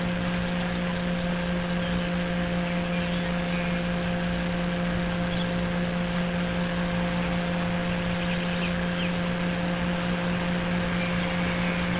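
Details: Only a steady low electrical hum with constant hiss, like a fan or engine, and no animal voice.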